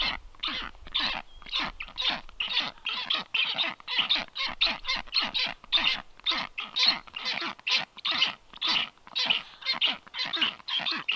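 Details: Nest of black storks recorded by livestream camera on 9 July 2023 while strange storks visit; a long run of rhythmic, hoarse, hissing pulses comes roughly twice a second, evenly spaced and loud throughout.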